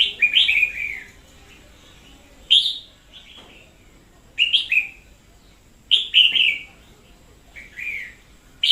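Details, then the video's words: Red-whiskered bulbul singing as an energetic decoy bird, recorded in 2021: repeated cheerful, warbled phrases of two or three slurred whistles, spaced one to two seconds apart, against quiet background. "Chào Mào mồi chóe cực sung"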